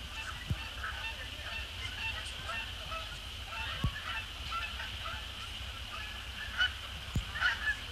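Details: Flock of Canada geese, resident and migratory, crossing the evening sky after sunset to land on Sapsucker Woods Pond in early December; many overlapping nasal honks, louder calls bunching near the end, over a constant high hum.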